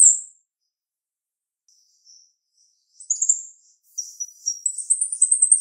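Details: High, bright note from a female jalak rio-rio starling, then a quiet gap with faint short notes, followed by shrill rising chatter that builds into a fast trill.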